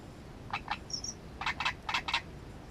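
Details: Great reed warbler documented at the nest: a rhythmic series of harsh, frog-like croaking notes, two at first and then four in quick pairs, broken by a brief thin whistle.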